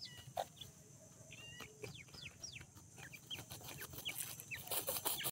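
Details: In the morning, francolin chicks peep in thin, high, down-slurred chirps, several a second and overlapping, over a low steady rumble.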